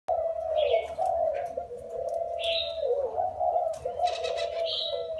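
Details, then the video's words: Wild-caught spotted dove, caged for four years, cooing: a low, husky, wavering coo runs almost without pause, with brief higher chirps from other birds breaking in above it. "Gáy bổi 4 năm lồng"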